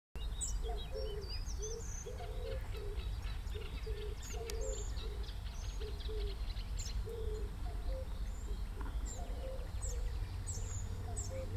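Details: Common cuckoo (Cuculus canorus), call.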